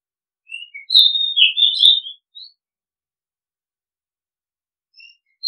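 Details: Oriental magpie-robin singing a short, varied phrase of sweet whistles and slurred notes with a few brief chirps, followed by a long silence and faint, scattered high notes at the end.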